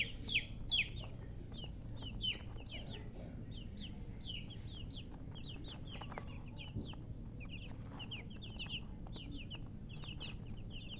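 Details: Several chicken chicks peeping at once, softer overlapping high chirps forming a busy, steady chorus, a few louder peeps early on, over a constant low hum.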